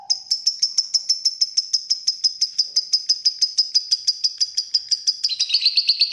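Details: Ngekek trill of a fighter lovebird: a steady string of quick, sharp high notes, about three per second, holding one pitch for five seconds before breaking into a denser, lower chatter.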